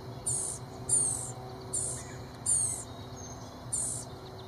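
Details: Blue-gray gnatcatcher chicks at the nest beg excitedly as parents approach carrying bugs: five high, hissing, buzzy bursts about a second apart, each roughly a third of a second long, over a low steady background hum.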